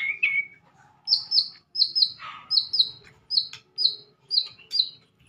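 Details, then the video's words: Madura long-tailed shrike singing sekebon-style fill-in phrases for tutoring: a few lower whistles, then a string of bright, high, paired chirps repeated about twice a second. "Masteran Burung cendet Madura terbaru 2023 ...!!! full isian sekebon"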